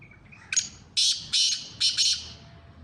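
Black francolin giving a harsh, grating call: a short thin note, then four loud raspy bursts in quick succession over about two seconds.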